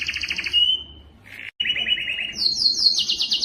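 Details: Canary singing to stimulate other canaries: rolling trills and a clear whistle, a short gap, then a buzzy low tour rising into high rapid repeated notes.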